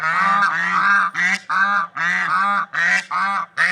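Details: Swans in nature calling without pause: drawn-out, reedy, trumpeting honks of rich tone, about six in under four seconds, each separated by a short breath-like gap.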